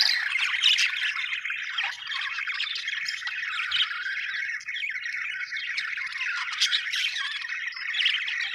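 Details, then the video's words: Several happy budgies keep up a busy, overlapping chatter of raspy twitters and high chirps, steady and continuous throughout, with occasional louder squeaks rising above the flock. "happy budgies chirping sound"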